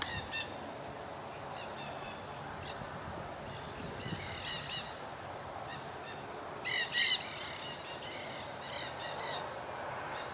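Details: Nanday parakeets at Paramount Ranch in the Santa Monica Mountains, California, on 25 March 2021: a run of harsh, harmonic screeching notes. The loudest burst comes near the seven-second mark, over steady outdoor background noise.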